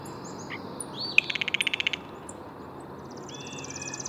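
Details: Blue jay calling: a few short high notes, then a rapid burst of about ten harsh, buzzy pulses lasting under a second, followed by a steady high whistled tone with a faint rasp, over a quiet background hiss.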